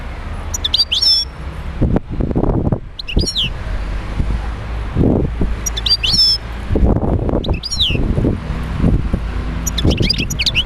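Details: European goldfinch singing to prompt other goldfinches to sing, giving brief high twittery phrases roughly every two seconds, interleaved with loud low thumps and rumbling noise throughout.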